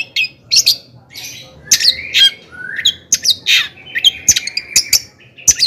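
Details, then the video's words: Excited long-tailed shrike song, used to make other shrikes sing and get worked up; a varied jumble of harsh squawks, rising and falling whistles and scratchy chatter. "Kicauan cendet gacor FULL EMOSI AMPUH Di jadikan PANCINGAN CENDET AGAR CEPAT GACOR DAN NAIK EMOSI"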